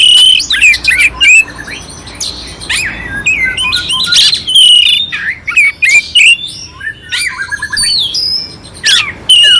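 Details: Oriental magpie-robin giving a clear song with rough fill, used to spur a quiet magpie-robin into action. A busy mix of piercing whistles, scratchy chatters and quick falling slurs, almost continuous throughout.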